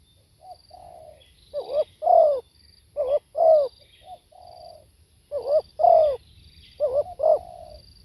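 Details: Spotted dove singing live, giving a soft lead-in note, a mellow level coo and two loud throaty coos, looped three times in quick succession; faint high chirps in the background.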